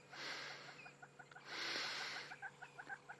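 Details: At sunset on a still, warm August evening, with hornbills also calling, a crested francolin gives a harsh, rasping rattle: two loud scratchy bursts, then a run of short grating notes spaced out toward the end.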